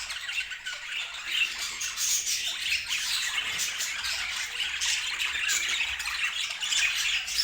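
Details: Several budgerigars warble and chirp at once, a constant scratchy, twittering chatter with frequent short squeaks layered over one another.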